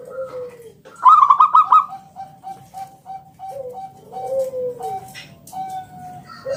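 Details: Local zebra dove singing the 'ngalun kung bulat' style, used as a lure to make other doves sing: one short burst of quick bright coos among softer, lower drawn-out coos and sliding notes from other doves.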